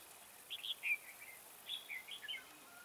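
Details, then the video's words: Decoy red-whiskered bulbul singing to draw wild birds into a trap: two quiet bursts of fluty, quickly slurred whistles, each a handful of notes, separated by a short gap. "Bẫy chào mào Mào boi 3 cao vút"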